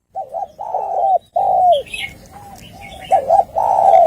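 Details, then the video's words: Male spotted doves in a fighting challenge, cooing repeatedly; several low wavering and drawn-out coos in close succession, with faint higher chirps of other birds and a soft background hiss. "Tiếng chim cu gáy bổi đấu bổi cực chất cực hay dùng cho anh em đánh kích bổi trống đánh nhau"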